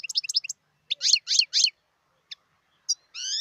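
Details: Wild European goldfinch singing: short bursts of bright, twittering high notes, a few triple chirps, isolated single tweets, then a rising buzzy nasal note at the end, with clean silence between phrases.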